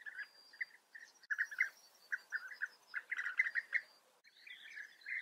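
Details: European bee-eaters in the Eifel, Germany, give rolling, liquid 'prruip' calls in quick irregular bursts, several birds overlapping, with a thin high whistle from another bird above.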